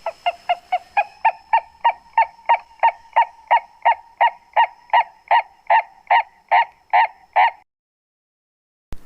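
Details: A Purple-crested Turaco from southern Africa gives a long series of about twenty loud, hoarse, barking notes, evenly spaced and gradually swelling, then stops abruptly.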